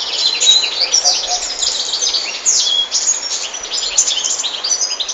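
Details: Continuous European goldfinch song: fast, bright, jangling twitters and trills with no real pause, with rapid chirps tumbling over one another throughout.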